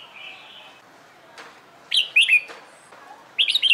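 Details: Red-whiskered bulbul in competition-singing training: a soft level whistle opens, followed by a loud quick warbled phrase of three rising-falling notes, then the start of another such phrase.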